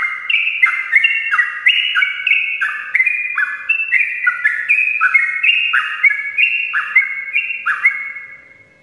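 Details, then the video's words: Long morning song of a sooty-headed bulbul, meant to prompt lazy birds to sing, made of a fast chain of bright whistled notes alternating up and down in pitch, about three notes a second, over a faint hum. "ropelan panjang trucukan gacor pagi hari untuk pancingan trucuk malas ropel"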